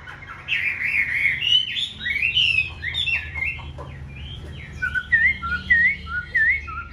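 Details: Chinese Hwamei kept in a cage and offered for sale, singing loud varied whistled phrases with rapid slurred notes, ending in repeated looping whistles at a steady pace; low background hum and faint music.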